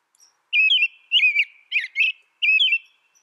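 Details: Caroling whistled phrases of an American robin, four slurred rising-and-falling notes delivered in quick succession with brief gaps, nothing else audible.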